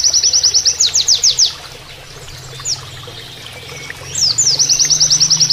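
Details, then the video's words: Canary-style rapid song of an Oriental white-eye for training other birds: fast high chips and downslurred notes, a quiet stretch of trickling water, then another long run of evenly repeated high notes. "MASTERAN PLECI NEMBAK KENARIAN"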